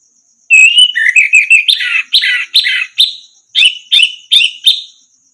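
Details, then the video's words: Training recording of orange-headed thrush song meant to get silent songbirds singing again: a quick run of whistled notes leading into a series of loud, harsh, descending buzzy notes about half a second apart, ending with sharper clipped strokes, faint high hum behind. "masteran burung anis merah macet bunyi langsung nyaut gacor"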